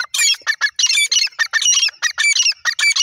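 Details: Black francolin calling, harsh grating notes delivered in rapid clustered bursts, roughly ten bursts in three seconds, loud and close with no other sounds intruding.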